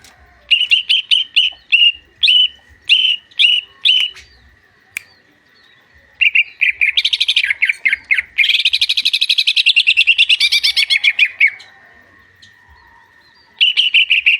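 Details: Greater green leafbird song: short bursts of repeated high chirps, then a long dense stretch of rapid varied warbling notes, silence, and a final burst of chirps, with a faint steady high tone underneath.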